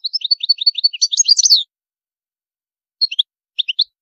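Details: European goldfinch with high maqamat: a fast, evenly paced run of chirps building into a tangled twittering flourish, then two short groups of clipped notes after a pause.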